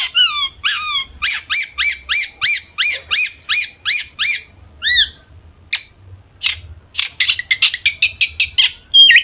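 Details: Long-tailed shrike, locally cendet or pentet, singing energetically as a lure to make other shrikes answer: a fast series of repeated harsh, rising chirps, then scattered sharp notes and a quick rattling run of short calls.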